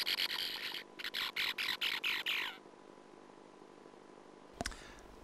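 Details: Singing sand martins (Riparia riparia), whose voice can distinguish females from males, twitter in dry, scratchy bursts, about eight harsh chirps in quick succession, then a quiet pause broken by a single sharp click.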